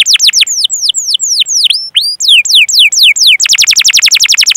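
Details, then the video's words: Singing canary, a training recording meant to prompt young birds and silent canaries: swooping, sliding whistles in a loose sequence, some brief pauses, then a sudden fast rolling trill of sharp descending chirps. "Masteran Suara Burung Kenari Gacor Panjang cuit cuit Ngerol untuk Pancingan Kenari!"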